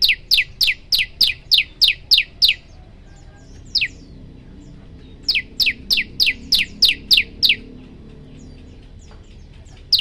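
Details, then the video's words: Singing prinia delivers bursts of rapid, high, downslurred chirps, about eight in a row, then a pause, a lone chirp, and another run of similar notes, ending with a single note. "tembakan 40 detik sekali napas masteran prenjak lumut"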